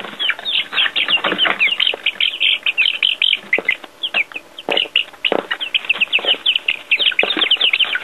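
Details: A flock of baby chicks out of doors for their first time, with earthworms, cheeping nonstop: rapid, overlapping high-pitched peeps with brief louder bursts throughout.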